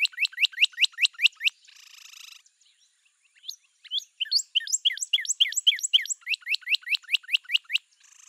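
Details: Northern Cardinal (Cardinalis cardinalis) singing brisk rising whistled notes in rapid series, broken by a brief noisy burst, then a varied run of slurred whistles settling into even repeats.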